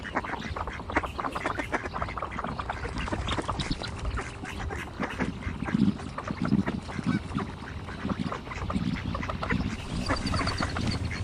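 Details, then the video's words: Ducks calling together: a dense, continuous run of short, harsh broadband quacks overlapping one another, with a low rumbling background throughout. "duck sounds"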